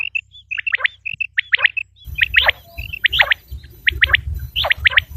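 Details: Common quail calls for hunting lure use: sharp downward chirps in quick pairs with short whistles, about seventy-two a minute, a low hum at first, then rumbling background noise from two seconds on.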